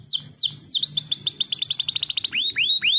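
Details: Canary song played as a lure to coax lazy, reluctant canaries into singing: a few high downward-sliding whistles, then a fast even run of short chirps, ending in three rising slurred whistles over a faint low hum.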